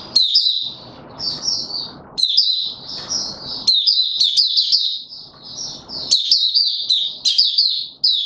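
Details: Caged white-eye (Mata Puteh) pushed into form for an opening song, 31 December 2021: high, rapid twittering phrases in bursts of one to two seconds, with brief low rustling and knocking between them.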